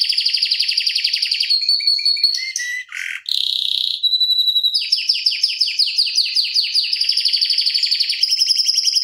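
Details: Canary tutor song with tight fast rolls: rapid high trills, a short break with a buzzy note and a whistled tone, then a run of descending slurred notes and renewed dense trilling.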